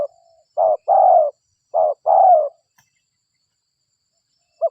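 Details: Spotted dove coo used as a lure, local bird: two low phrases, each a short note then a longer sliding coo, with a clipped note at the end and otherwise quiet.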